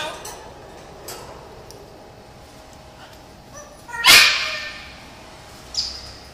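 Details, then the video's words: A macaw gives one loud, harsh, rasping squawk, followed by a shorter, higher squeak, with faint indoor background noise. "big sound macaw parrot"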